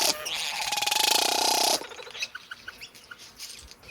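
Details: Satin bowerbird producing a loud, buzzy, pulsing whir that holds steady for under two seconds and then cuts off, followed by a few faint, short chirps over a quiet background.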